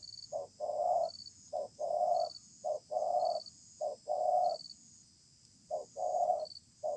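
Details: Spotted dove, a stubborn newly trapped wild bird, cooing in a contest under a communal house: a short note followed by a long, full coo, repeated in sets about every second, with high regular beeps in the background.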